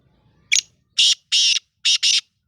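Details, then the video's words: Calling black francolin (Sindhi lal potiya or kala teetar): a sharp introductory note, then two long rasping buzzes and a rapid closing pair of harsh notes, loud against a quiet background. "Sindhi lal potiya or kala teetar"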